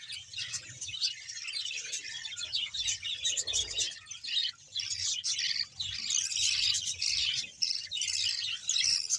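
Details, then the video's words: Bahawalpur budgerigar colony of roughly 100 pairs: a steady wall of shrill, scratchy warbling and chirps from many birds at once, pulsing in intensity throughout. "budges sound"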